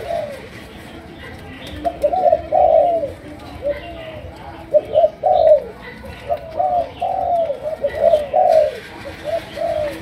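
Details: Malaysian spotted dove in sấm đồng chiêu gù style: after a quiet start, bursts of low, burry hooting coos arrive in uneven groups, some phrases ending in a drawn-out downward slide, with faint clicks in the background.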